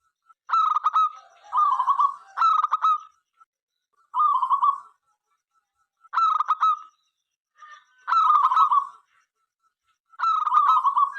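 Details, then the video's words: Local Zebra dove sings eagerly to invite other doves to join in. Six phrases of quick, stuttering cooing with a trilled ending, repeated about every two seconds. "perkutut lokal gacor suara MENGGODA apapun jenisnya 5 detik nyaut."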